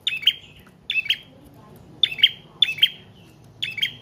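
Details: High double-note chirps from a prinia (prenjak trotol or paot) singing at length as a lure and tutor for cage birds; bursts spaced irregularly, a longer pause near the middle.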